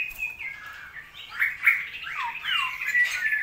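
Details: Caged straw-headed bulbul in Indonesia during the wet season, singing a gurgling run of downslurred and upslurred whistles, bubbly and loud, with a brief high bright note near the middle.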